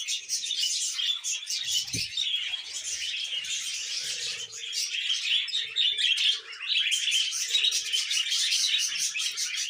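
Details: Several pet budgerigars kept together, chattering continuously in a dense, overlapping mix of high twittering, scratchy warbles and chirps throughout, with a brief low thump near two seconds and some faint lower murmurs.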